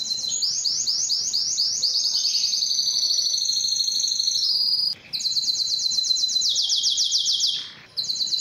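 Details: Belgian canary song for stimulating breeding hens and training young birds: sweeping rapid trills that glide downward, interrupted by two short silences, each followed by a fresh high rattling roll.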